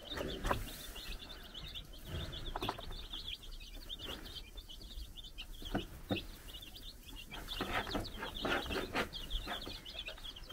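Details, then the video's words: Baby chicks, four days old, roam a farm in the Czech Republic while their brood hen keeps watch. Quick high chirps come in steady bursts, mixed with sharp clicks and rustling underneath. "Our New Cute Baby Chickens Running Around and Chirping"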